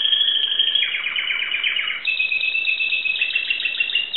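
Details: Greek Timbrado canary with a dense rolling trill that drops in pitch after the first second, then jumps to a higher bright trill.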